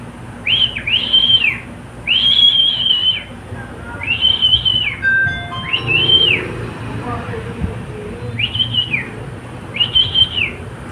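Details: Pet cockatiel singing long drawn, arched whistles in a repeated pattern, broken midway by a run of stepped, tone-like notes and soft voices before the whistles return.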